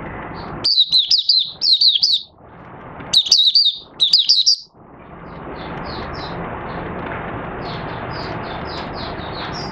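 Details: Caged oriental white-eye recorded 25 August 2022 after three months of training to sleep with its cage cover open at night, singing rapid high twittering phrases in two short bursts, then steady background hiss with faint distant chirps.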